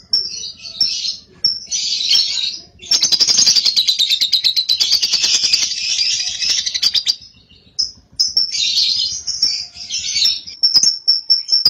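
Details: Young cobalt lovebird, caged, singing ngekek: harsh high chattering bursts that build into a long fast pulsed trill lasting over four seconds, then more scratchy chatter and thin high chirps over a faint low hum.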